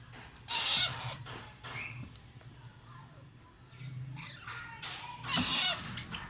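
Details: Alexandrine parakeet chicks at feeding time make grating, hissy squawks: a loud burst near the start, softer rasps in the middle, then another harsh burst near the end, with a steady low hum behind.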